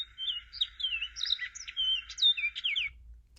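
A male Orchard Oriole sings a rapid, varied run of bright whistles and slurred chatter, lasting about three seconds, with a faint low hum beneath.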